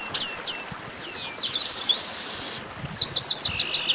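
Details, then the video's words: Garibaldi, or Chestnut-capped blackbird, in a 'baderna': overlapping high chips and slurred whistles, a brief pause, then a fast series of bright, evenly spaced notes. "Baderna de Garibaldi"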